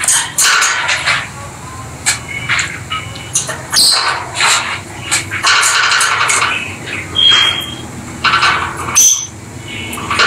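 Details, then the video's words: Rosy-faced lovebirds kept as pets play together and chatter with scratchy high chirps in irregular bursts, plus a couple of thin clear whistled notes near the end. "Lovely Lovebird Noise Peach faced Lovebird and Rosy faced Lovebird"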